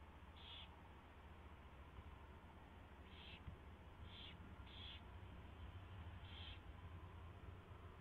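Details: Owl calling at its nest before dawn, 4:21 AM on 24 February 2016, as a mouse is delivered and fed; five brief rasping high-pitched bursts at uneven intervals, with constant low hum beneath.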